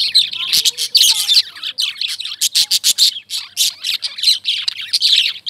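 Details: Lovebirds chirp in rapid, rhythmic bursts of harsh high notes, several per second, with a few thin whistled slides early in the passage.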